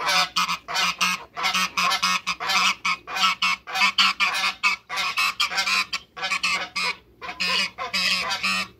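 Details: Three African geese, two males and a female, in a backyard after waterbirds: steady rapid run of loud harsh honks, roughly two per second, with a low constant hum underneath.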